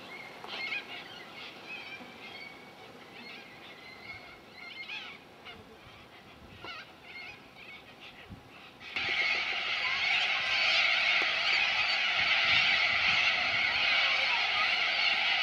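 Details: Corellas at Minkie Lagoon near Innamincka, South Australia, on Coopers Creek. Scattered harsh squawks at first, then a sudden swell into a dense, loud, continuous screeching chorus from many birds.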